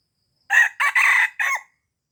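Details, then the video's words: Lure call of a red junglefowl from Aceh: a crisp four-syllable crow lasting about a second, a short opening note, then a longer stretched note and a brief closing syllable, in silence. "Pikat Ayam Hutan Ori"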